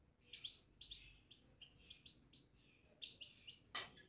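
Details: European goldfinch in a cage, babbling (batbata) in a rapid, continuous stream of bright, liquid twitters and metallic notes, ending with a sharp knock.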